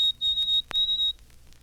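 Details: A White-throated Sparrow, late in spring, gives its "Poor Sam Peabody" song on a 1954 Cornell recording: two long, pure, high whistles held on one steady pitch, split by a faint click.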